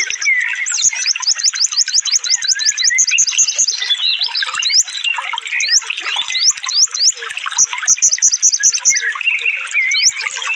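A sunbird pours out a fast, dense, high-pitched song of thin sweeping whistles and rapid chattering trills with almost no pauses.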